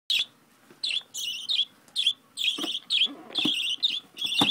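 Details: Pet budgerigar during hand-feeding, too impatient to wait for food: loud harsh rasping bursts, each about a third of a second, come in a rapid, uneven series with brief quiet gaps.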